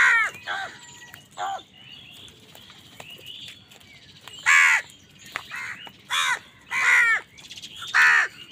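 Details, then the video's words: Harsh crow caws as crows fight wild birds over food, given in loose runs: two quick early calls, a single call, then four loud rasping caws spaced about half a second to a second apart, with soft twittering behind. "Wild birds fight with crows for food | Crow bird unity anger and sund | Angry kawa ki awaaz"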